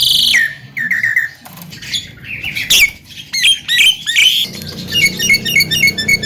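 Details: Lure song of a Javan myna in the mblegedeg style: a hoarse squawk, then falling whistles, chattering notes and a quick twittering close, loud and close-up over low hum.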